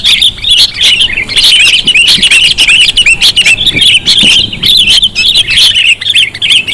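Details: Lure recording of sooty-headed bulbuls, a busy flock giving quick, liquid chirps and harsh squawked notes in rapid overlapping phrases, almost without gaps.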